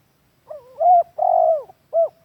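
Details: Lure call of a spotted dove for training captive doves: a soft wavering lead-in, a loud coo, a long steady hoot and a short final coo, clear and close.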